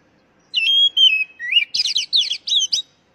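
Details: Lure recording of an oriental magpie-robin, meant to get caged birds singing. Pure, level whistles descend in steps, then a rising slur precedes six fast, chattering bursts of high, jumbled notes that end abruptly.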